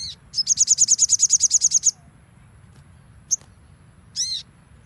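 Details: Crimson sunbird training song: a rapid, even trill of about sixteen high sharp notes lasting over a second, then a single isolated chirp and a short buzzy descending note, over a low background rumble.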